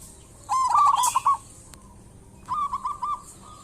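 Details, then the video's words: Persistently singing local zebra dove, offered as a lure to get other birds calling: two quick bursts of staccato, bubbling coos at an even pitch, the first ending around one and a half seconds, the second trailing into a held tone. "Perkutut lokal gacor pancingan perkutut super ampuh agar bunyi cepat gacor"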